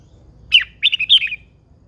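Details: Old wild-caught female red-whiskered bulbul kept in a cage: a sharp opening note, then a quick rolling phrase of clear whistled notes, all within about one second.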